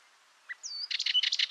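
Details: Dartford warbler song: a faint soft note and a sliding high whistle lead into a quick burst of harsh, scratchy chatter. Light background hiss.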